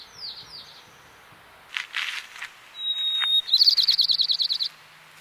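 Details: White-crowned sparrow in the Sierra foothills of California: a high steady whistle leads straight into a fast, even trill of about twenty notes lasting around a second, preceded by faint slurred notes and a brief rustling noise.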